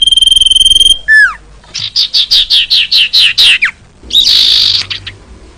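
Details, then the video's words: Female common iora call meant to attract males: a steady trembling high whistle, a downward slur, then a row of about nine even chirping notes and a harsh scratchy burst. "Suara burung cipoh/sirtu cocok buat mancing jantan"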